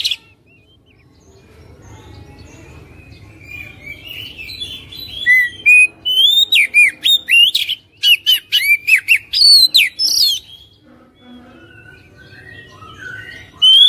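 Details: Lure song of an Oriental magpie-robin, meant to prompt a quiet caged bird to sing. Soft scattered notes build into a dense burst of bright whistles and sharp chips mid-clip, then fade to quieter twitters.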